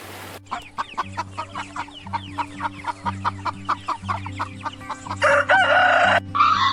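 A chicken clucks in quick, harsh, downward notes about four a second. Two louder squawks come near the end over a steady low hum.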